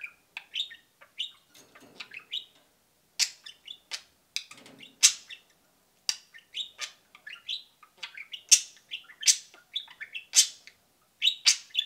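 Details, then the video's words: Pair of pet budgerigars cheeping steadily, a quick irregular string of thin, high peeps and short warbled notes with no break, roughly one per second, some louder and sharper toward the end. "Kiwi and Pixel peeping and cheeping"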